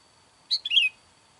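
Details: Single short harsh burst call of a sooty-headed bulbul, sung to lure wild bulbuls, stuttering into a descending scratchy note against a quiet background.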